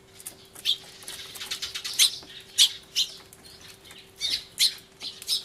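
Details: A commotion of sparrows crying hard, recorded 24 March 2013 on a camcorder, a turtledove nearby; loud high chirps in separate bursts about every half second to second, with soft flutters.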